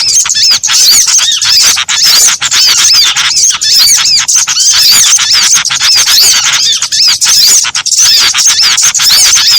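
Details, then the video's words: Combined small-bird calls meant to lure birds into traps; high, rapid twittering and sharp squeaky notes overlap densely throughout, forming a constant bright chatter. "Suara Pikat Sogon Ampuh Kombinasi Burung kecil"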